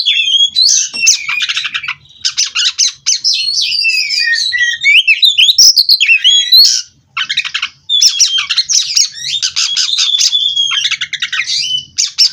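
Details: White-rumped shama (kacer) from a Cirebon breeding aviary in continuous rolling song: fast bursts of harsh chatter alternate with clear, swooping whistles and trills, broken by only brief pauses.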